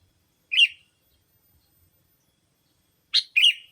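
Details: Sooty-headed bulbul calls used as a lure to draw in other bulbuls: one short, harsh chirp, a long silence, then a quick double chirp with slurred, falling tails.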